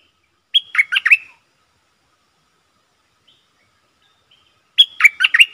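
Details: A Streak-eared bulbul kept as a decoy to attract wild birds and train young ones repeats the same brisk, chattering, gurgling phrase twice, about four seconds apart.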